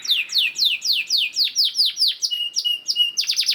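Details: Lure song of a canary, played to make other canaries sing: a run of clear descending whistled notes about four per second, changing to flatter tones and ending in a fast chattering flourish.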